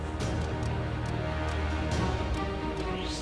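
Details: Steady background music with a low, dense beat and no animal voice to be picked out.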